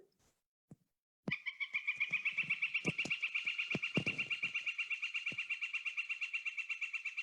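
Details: Northern flicker giving its wick wick call, a long fast steady run of nasal notes, about three per second, continuing without pause for six seconds, with scattered clicks and taps behind.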